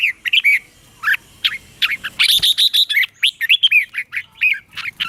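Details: Red-whiskered bulbul song, offered for training caged birds or for trapping: dense run of bright, warbled notes, quickly rising and falling, with a brief louder slurred burst near the middle and short pauses between phrases.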